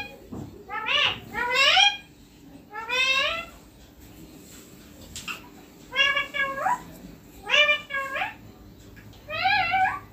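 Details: Green ringneck parakeet kept as a pet, seen on a neem tree, repeating loud nasal squawks that sweep upward, often paired in doubles, spaced by gaps of one to two seconds.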